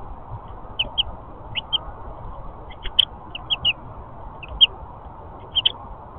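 A house finch gives short, bright chirps, singly or in quick pairs, about once a second at irregular intervals, over a steady low background hum.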